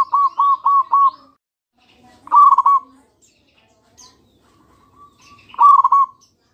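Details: Zebra dove, local type, lure song to make others respond: four separate clipped coo notes, then two dense rolling phrases a few seconds apart, with scattered faint high bird notes between.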